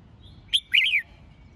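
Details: Red-whiskered bulbul song for singing-competition training: a short bright note, a brief gap, then a longer, rich, rolling whistle that rises and slides downward, lasting about half a second.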